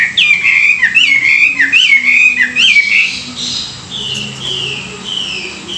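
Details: Chinese hwamei kept as a cage bird, singing in the morning for song training: rapid dipping whistled notes repeated in a run, then softer drawn-out level whistles.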